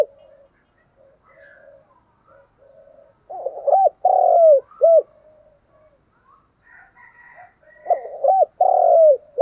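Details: Decoy spotted dove cooing vigorously: two bursts of low, hooting coos, each a run of short rising-falling notes with one longer drawn-out note, separated by a few seconds of quiet with faint soft murmurs.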